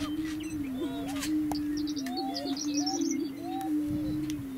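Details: {'text': 'Booming Greater Prairie-Chickens dancing on their lek near McCook, Nebraska; an unbroken low droning tone with looping whoops above, a few camera clicks, and a burst of high tinkling Horned Lark and meadowlark song.'}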